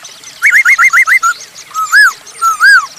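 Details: Masked laughingthrush in full song, used as a lure to prompt other birds: a quick run of five hooked, rising whistled notes, then a few slower, arching, mellow whistles with brief pauses.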